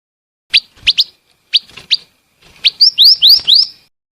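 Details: Female scarlet minivet calling: sharp high chirps at first, then a run of rising whistled upslurred notes repeated quickly near the end.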